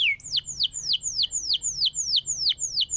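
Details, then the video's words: Canary master song meant to make a silent canary sing again: a steady run of high, sharply falling slurred notes, about three per second, evenly repeated with clean quiet behind. "Suara burung masteran kenari gacor"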